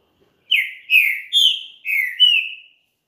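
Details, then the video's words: Song of a champion green-winged saltator, meant to warm up another bird: five clear, loud whistled notes, each sliding downward, given in a rapid, even phrase lasting about two seconds in otherwise silent surroundings. "ESQUENTE SEU TRINCA FERRO RÁPIDO NO CANTO DE UM CAMPEÃO"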